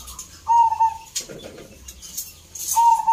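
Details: Zebra dove (perkutut) at a local singing competition in Salatiga, Central Java, Indonesia: two low, rolling, purring coo phrases separated by a pause, with faint ticking and chirping sounds in the background.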